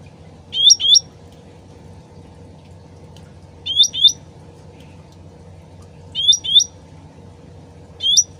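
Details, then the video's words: Sooty-headed bulbul in its original voice, played as a lure to draw quick answers: four bursts of double whistled notes, each twisting up and down, spaced irregularly over a steady background of splashing, trickling water. "PANCINGAN CUCAK RANTING SUARA ASLI DAN GEMERCIK AIR CEPAT NYAUT"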